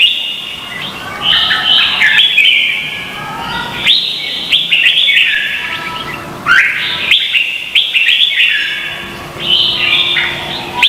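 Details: Red-whiskered bulbul singing in a contest in Vietnam, a recording offered as lure sound for training birds: loud, bright whistled phrases with quick rising and falling notes, bursts restarting about every three seconds.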